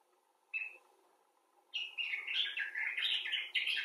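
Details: A common bulbul, one of several rescued or wild individuals, gives a single short note, then after a pause a lively, continuous warbling chatter of bright squeaky syllables.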